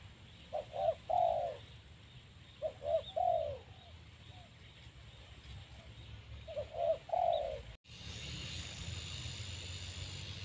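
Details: Spotted doves, a newly caught bird paired with an older one to train it to call readily on a branch as a decoy: three soft, low cooing phrases of two or three notes each, spaced a few seconds apart, then a sudden switch to steady hiss.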